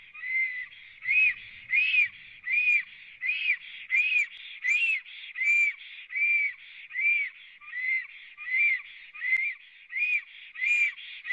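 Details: Three black storks at a Latvian nest on 24 April 2017, late morning, on a live camera: a long, even run of rising and falling whistles, roughly 80 per minute, with a faint low rumble early on.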